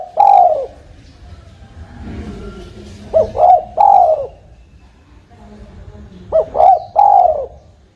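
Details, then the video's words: Spotted dove lure call used for trapping: three hoarse, low coo phrases spaced about three seconds apart, each with quick short notes leading into a longer drawn-out coo, over a faint background hum. "Suara burung tekukur"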